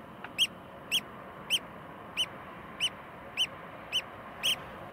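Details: A Eurasian oystercatcher in Iceland gives eight loud, piercing 'kleep' calls, shrill and evenly spaced about every half second, over a steady low rumble of wind.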